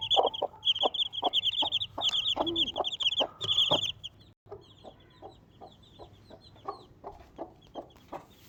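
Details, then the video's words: One Desi mother hen and four chicks: busy clucking mixed with loud high cheeping for four seconds, then the chicks fall quiet and the hen keeps up slower, softer, evenly spaced clucks. "Desi Chicken 1 Mother Chicken 4 Baby Chicks"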